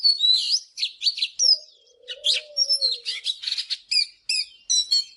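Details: Lively Oriental magpie-robin song in the morning, rapid chirps, whistles and buzzy notes in a near-continuous stream, with a low dove coo midway.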